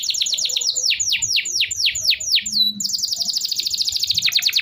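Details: Canary singing, played to coax silent canaries back into song: a quick high trill giving way to a series of loud descending swooping notes about four per second, then a long dense buzzing trill.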